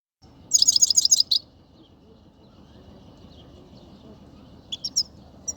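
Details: Himalayan goldfinch, known locally as saira, singing in Quetta: a quick burst of high, bright twittering notes packed into about a second, then a quiet pause before a few scattered high chirps, over a low background hum.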